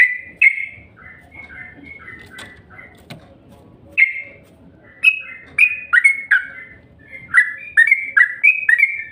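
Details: Yellow-vented bulbul lure call intended to trigger sustained chattering: scattered chirps and short whistled phrases, growing into a lively series of bubbly notes toward the end.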